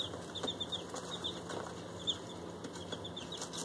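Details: A group of day-old bantam chicks indoors, including five Silkies and three fluffy bantams, giving faint, short high peeps scattered through the clip over a steady low electrical hum and a constant high tone.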